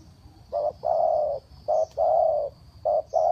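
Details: Spotted dove in Ninh Thuận, a luring bird giving its call-down coo. Paired hollow notes, a brief coo then a drawn-out steady one, repeating quickly over a thin continuous high whine and low rumbling background.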